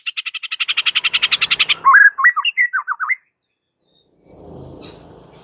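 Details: Training-master fighting song of a white-rumped shama: a fast rhythmic series of repeated chattering notes, then twisting whistled phrases dipping and rising, ending before a faint low rustling background.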